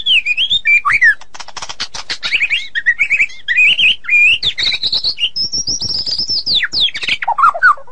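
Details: White-rumped shama song for tutoring songbirds: a rich, fast, varied warble of slurred whistles and chattering notes, climbing to high sustained whistles and dropping back, delivered continuously without a break.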